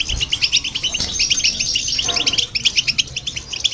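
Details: Goldfinch singing, along with a goldfinch hybrid, to stimulate other birds; fast repeated chirping phrases and bright twitters tumble one after another without pause.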